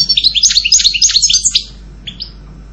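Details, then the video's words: Goldfinch song as a quick run of bright twittering, tinkling notes for about one and a half seconds, followed by two short isolated chirps against a quiet low hum. "Canto jilguero Goldfinch song"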